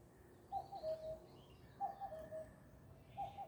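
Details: Singing bird outdoors repeating a low whistled phrase, a clipped higher note sliding down to a held lower whistle, three times at even spacing, over steady low background rumble with faint high twitters.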